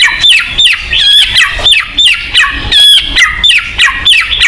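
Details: White-rumped shama singing, used as a lure to spur kept birds: a rhythmic run of repeated whistled phrases, each with a sharp upstroke and a falling slur, about twice a second.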